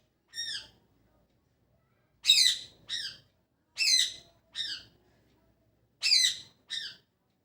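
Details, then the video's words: Parrot chirping in the morning: loud harmonic squawky chirps, often in pairs, a strong note followed by a shorter one, spaced a second or more apart, in a quiet indoor setting. "Parrot Chirping At Morning | Parrot Sound"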